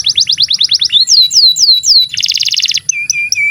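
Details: Canary in continuous song, meant to tutor young or silent canaries: a quick trill, long falling slurs, a dense buzzy rattle, then short clear whistled notes.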